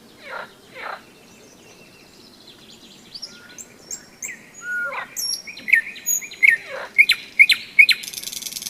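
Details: Nightingale trilling on a May day along the Seversky Donets in thunderstorm season: two low slurred notes, quiet varied twitters, then a quickening series of loud repeated whistles closing in a churring rattle.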